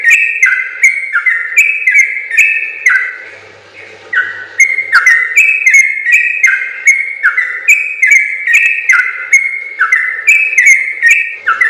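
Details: Sooty-headed bulbul, a training recording for other birds, delivering long chattering song runs: bright stepped whistles, each dropping in pitch and opening with a crisp click, repeated over two per second with a brief pause midway.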